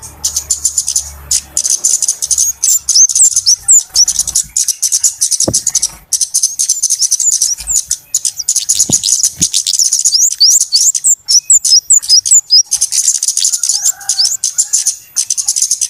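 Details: A long stretch of noisy flowerpecker lure calling for bird trapping. Continuous shrill ticks and chips overlap with many quick looping whistles in the middle, and a few sharp clicks are heard.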